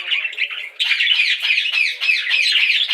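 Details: Budgerigars in lively, squawky chirping, a softer warble at first, then louder rapid chattering notes from under one second onward.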